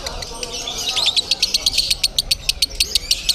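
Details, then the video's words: Lovebird, billed as 'konslet crazy', singing at a bird contest in Bandung: after a brief ragged start, sharp high chirps repeat rapidly and evenly, about seven per second, over murmuring human voices. "LOVEBIRD KONSLET CRAZY DATANG KE GANTANGAN BAROMETER DI BANDUNG"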